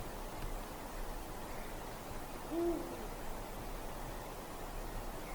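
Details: A Eurasian eagle-owl in a dark forest on a winter night gives a single deep, short hoot midway through, low and brief against a steady background hiss.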